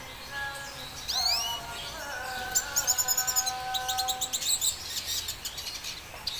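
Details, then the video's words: Red siskin song: sharp rising sweeps followed by a long fast trill of rhythmic high notes, over low sustained tones in the background. "Red Siskin singing"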